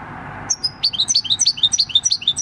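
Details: Six-year-old wild-caught European goldfinch singing a countryside song style called "El Carbonero", recorded 26 December 2019; a brief high whistle, then a fast run of bright, twittering notes alternating high and low.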